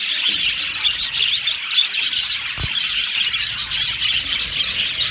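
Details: Happy budgerigar colony in an aviary, a dense, continuous wash of overlapping high chirps and twitters with no pauses and steady loudness throughout.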